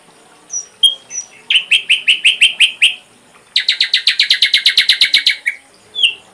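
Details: Ashy drongo tutor recording for training songbirds: a few thin high whistles, then two fast runs of harsh, rasping notes repeated about five per second, closing with a clear slurred whistle.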